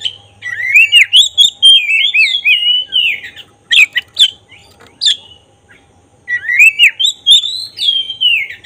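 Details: Active black-breasted oriental magpie-robin singing as a provoking lure for emotion and tail opening: long fluid strings of whistled, swooping notes, a burst of harsh clicks, a short pause, then more whistling.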